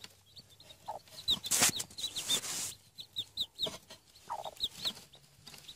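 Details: Newly hatched Denizli chicken chicks, seven hatched under a hen; high, short peeping notes repeated irregularly, with rustling, handling noise and a few lower clucks.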